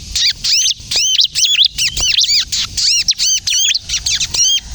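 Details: Bar-winged prinia (ciblek kristal) in continuous kejepit-style song, meant for luring and prompting other prinias to sing: clear, high, bouncing arched notes strung in rapid even series, paused now and then.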